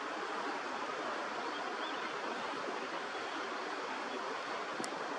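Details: Steady broadband rush of flowing water fills the recording, with a single brief click near the end and no animal calls.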